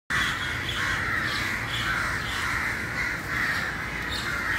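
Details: Crows gathering in a crowded early-morning assembly, cawing; a steady dense chorus of overlapping harsh caws with broadband hiss throughout, many birds calling at once.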